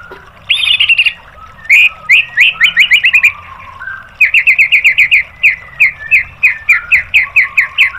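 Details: White-rumped shama song used as training material for caged birds: bursts of short rising whistled notes, first a quick run near one second, then long fast series repeated about four to five per second with a few lower slurred notes.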